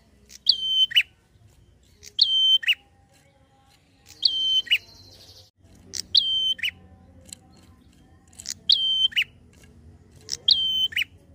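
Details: Lively prinia in quick 'ngalun' style, used to stir up untrained prinias: six phrases about every two seconds, each a high attack, a flat held whistle and a falling lower note. One phrase carries an added buzzy trill. Low hum behind.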